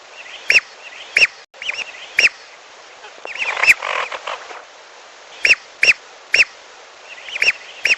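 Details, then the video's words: Lesser whistling duck calls used as a hunting lure to draw birds down to a fish pond: sharp, high whistled notes repeated irregularly, with a dense burst of twittering chatter in the middle and a brief dropout early on. "Pikat Burung Belibis Piolo"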